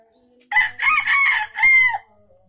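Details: Aceh junglefowl crow used for luring wild birds, loud and close: a strained, raspy two-part call, a longer first phrase then a short falling ending, all within about one and a half seconds.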